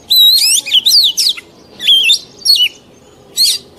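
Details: Mature wild Oriental magpie-robin singing, a recording used to train young birds to sing: clear, sweet whistled phrases sliding up and down, in four bursts separated by short pauses, over faint low background hum.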